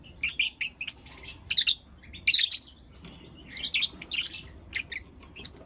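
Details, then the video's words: Blue opaline and lutino opaline lovebirds chirping in the morning, giving rapid harsh high chirps and squeaky notes in clustered bursts separated by short pauses. "Lovebird Chirping Sounds and Call Sounds From Blue Opaline & Lutino Opaline"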